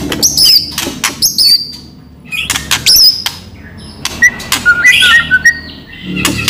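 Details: White-rumped shama lure song: sharp clicks and high thin whistled flourishes, followed by a stretch of varied mid-pitched whistled notes, lively and loud.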